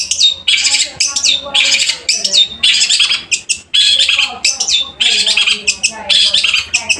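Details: Long-tailed shrike singing loudly in captivity: a steady stream of harsh, scratchy, squawking phrases mixed with brief downslurred whistles, delivered in bursts with barely any pauses.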